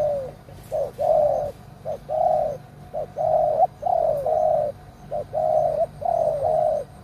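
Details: Loud-voiced old lure spotted dove in a cage, used to trap wild doves, calling in repeated phrases: a short note followed by a long rich coo that sometimes slides downward.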